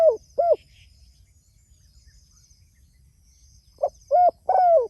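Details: Spotted dove calling to others: a clipped pair of soft coos at the start, a long quiet gap, then another phrase of mellow notes ending in a drawn-out, falling coo, with faint thin high tones behind.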